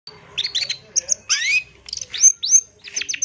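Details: Long-tailed shrike (pentet) lure sound, used as ombyokan training material to make birds answer and sing quickly: varied bursts of chattering notes, then rising whistled slurs and a fast series of sharp high notes, clear and without background noise.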